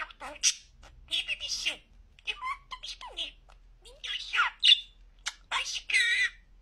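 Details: A clearly talking pet budgie gives a string of high, reedy imitated words with squeaky rises and falls. Brief pauses separate the phrases, and the sound is chattery and scratchy.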